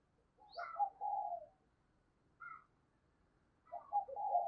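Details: Lure spotted dove calling ('thúc', 'gáy') to wild doves. Two short groups of soft, hoarse, low coos with a brief higher note between them, over a faint background rumble.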